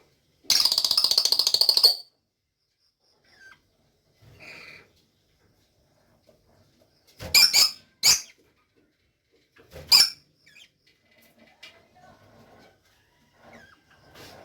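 A crested budgerigar gives a harsh, buzzy chattering burst followed by a few sharp, scratchy chirps.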